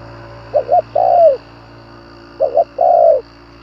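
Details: Two phrases from a spotted dove used to stir up wild doves. Each is a pair of brief hollow notes and then one longer coo that droops at the end. A faint background drone runs throughout.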